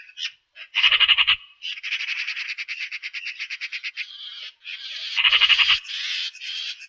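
Eurasian magpie giving harsh, rattling chatter: rapid dry 'chak' notes, about four a second, in bursts with short breaks.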